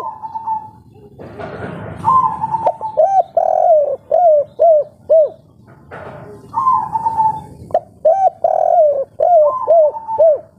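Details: Spotted dove, local Indonesian bird, giving the three-note 'kuk 3' coo style: a drawn-out level note followed by a rapid series of short arched coos, repeated in two phrases, clear and loud against a low rumbling background.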